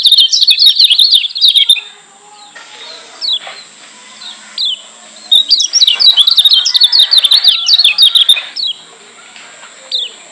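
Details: Kecial kuning of Lombok in a tutor recording meant to anger white-eyes that hear it. Two long bursts of rapid, high, jumbled twittering are separated by quieter gaps with single sharp downslurred chirps, over a steady high whine.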